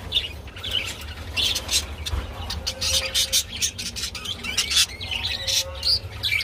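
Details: Budgerigars during mating, with bursts of scratchy, clicking chatter and short squeaky notes in uneven clusters, separated by brief quieter gaps, over a faint low hum.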